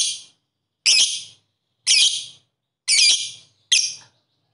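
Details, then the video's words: Lovebird calls played to stimulate other lovebirds to sing: harsh, high, rasping shrieks, each about half a second long, repeated roughly once a second in an even series of five. "Terapi ampuh pancingan Lovebird agar mau bunyi Ngetik Ngekek"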